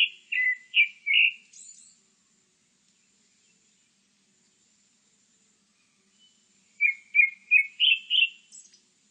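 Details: Grey-backed thrush singing two separate phrases about five seconds apart. Each is a short series of rich, fluty whistled notes in quick rhythm. The second phrase ends in a brief high, thin squeak. Otherwise quiet.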